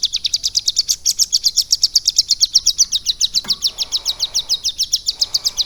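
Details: Captive ciblek gunung (prinia) singing lovebird-style mimicked song after three months of training: a fast, even run of thin, high chirps, about four per second, continuing steadily throughout, with a brief click midway.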